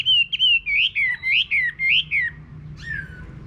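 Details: Chinese hwamei singing in a countryside garden: a loud, quick run of clear whistled notes, each rising then sliding down, about six in a row, then a brief pause and a softer falling whistle, over a faint low hum.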